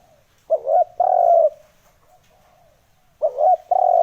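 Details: Spotted dove cooing made for luring and provoking decoy birds: a short rolling note and a long even coo, repeated twice with quiet gaps between.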